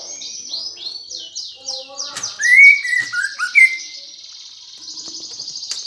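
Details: Greater green leafbird in gereja fighting-song mode, used to stir competition birds. A rapid series of high downslurred notes gives way to loud, clear slurred whistles, then a thin high sustained trill.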